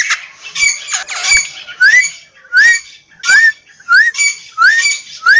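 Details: Partridge call: a series of loud, rising, whistled-rasping notes repeated roughly every half second, each note sweeping upward with a harsh edge.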